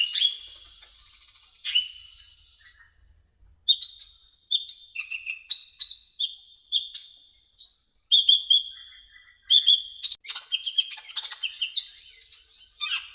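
A sunbird sings a high, thin, fast song of sharp chips, buzzy trills and short whistled notes in quick bursts with brief pauses, with no other sounds.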